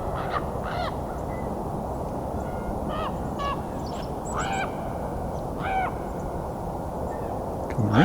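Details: A common raven gives several hoarse, croaking calls a second or two apart, heard during a Christmas Bird Count at Fletcher Creek Ecological Preserve, Puslinch, Ontario, on December 30, 2021, over steady wind or traffic roar, with a man talking.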